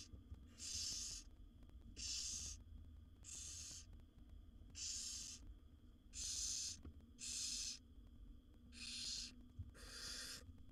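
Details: Seven wild barn owl chicks in a nest box begging as the mother brings food; loud breathy hissing screeches of about half a second, given in an irregular series of eight, spaced one to two seconds apart, with faint background hum.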